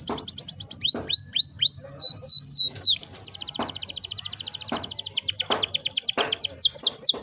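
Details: Canary delivering a long rolling song to prompt young canaries to start singing; quick trills alternate with slower swooping upward notes, then a long fast trill, with clicking sounds in the background.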